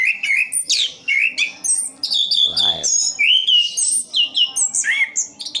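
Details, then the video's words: Caged orange-headed thrush from East Java singing a lively sequence of short rising whistles and quick chirping phrases, with a brief low buzzy sound partway through. "Anis kembang "Anti Gempa". Rooll full"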